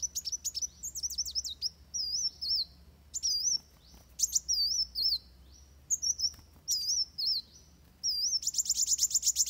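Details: Fighting song of a Van Hasselt's sunbird for training birds: alternating clusters of sharp high chips and wavy whistled phrases, roughly every second, ending in a fast buzzy trill of chips.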